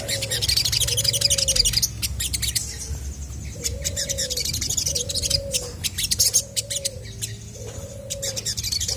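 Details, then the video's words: Chestnut-backed scimitar babbler in lively song to make other birds respond: six low, hollow, flat whistles about a second apart, with a fainter lower note near the end and constant high chirping from other birds. "SOGON GACOR BIKIN BURUNG MANAPUN PASTI IKUT NYAUT!!!"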